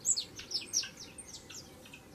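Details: Brief burst of song from a young saffron finch: several sharp, high chirps in quick succession, loudest at the start and fading over two seconds, against a low, quiet background hum.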